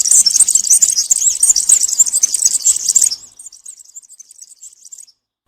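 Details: European serin, cante campero song in woodland for young birds to copy while moulting: three seconds of loud, very high, fizzy tinkling trills, then a softer, sparser run of notes before silence.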